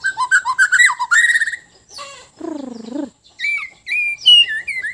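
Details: White-rumped shama from Sabah, Borneo, singing in a relaxed mood: fast bubbling trilled phrases, a low descending warble, then bright rising whistles and squeaky notes separated by short pauses.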